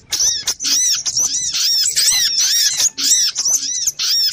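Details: Little spiderhunter lure call: rapid, regular bursts of piercing, high squeaky chips, roughly two to three bursts per second, continuing without a break.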